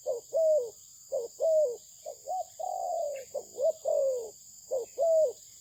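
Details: Spotted dove of a Malaysian breed, praised for its fine voice, cooing in a run of low, soft phrases: a short note followed by a longer, slightly falling coo, repeated roughly every second, over a steady faint high hiss.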